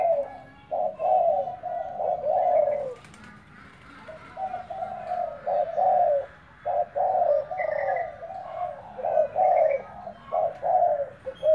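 Spotted dove giving soft, low, hollow coos in short bursts of several notes, with brief pauses between phrases over a faint background hum.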